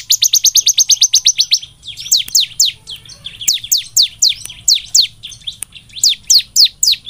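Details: Bar-winged prinia (ciblek), used as a lure to get other birds singing eagerly: a fast run of about fourteen sharp, high chirps, then a string of quick, sharply falling, whip-like notes in uneven bursts.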